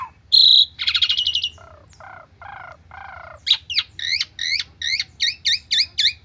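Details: Asian pied starling lure song from a stressed bird: a bright whistle and rasping trill, three low nasal phrases, then a steady run of about ten paired two-tone whistled notes.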